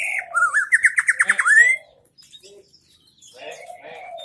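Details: Greater green leafbird from Aceh Tengah: a bright, warbling phrase of rapid trilled whistles rising to a clear upswept note, then quiet with faint voices.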